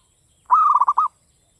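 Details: Javanese zebra dove singing in the classic Mataram style: one half-second cooing phrase of a steady note breaking into three or four quick clipped pulses, crisp and clear against a silent background.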